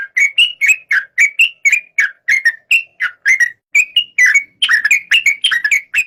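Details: Series of bright, short whistled notes from a yellow-vented bulbul (trucuk), about three each second, bending up or down, growing a little faster and more jumbled toward the end.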